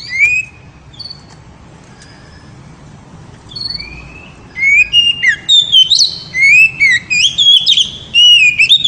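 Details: Oriental magpie-robin (kacer) in loud, rapid song meant to excite a female: scattered whistles and thin high notes at first, then a dense run of varied whistled phrases, rising slurs and sharp chirps through the second half.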